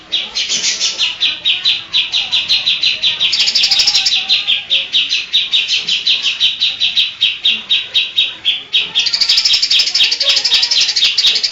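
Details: Greater green leafbird singing a mimicry medley that copies kapas tembak, cililin and other birds. Rapid, high, metallic chips run continuously, with denser, higher trilled passages at the start and the end.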